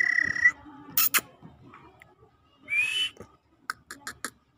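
Black francolin chick giving clear whistled peeps, one held and one rising, between sharp clicks and a quick run of short ticking notes.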